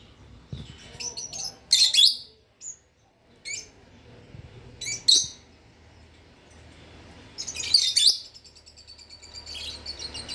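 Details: Two pet lovebirds chirping gently: sharp, high shrill chirps in short bursts around two, five and eight seconds, separated by quiet gaps, with fainter scattered tweets and soft low background hum.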